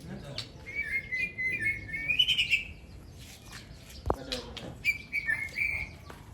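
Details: Aceh white-rumped shama pitted against a rival bird in a singing contest: a sustained, wavering warbled phrase, then a pause, then a second rich warble; a sharp knock and murmured voices in the background.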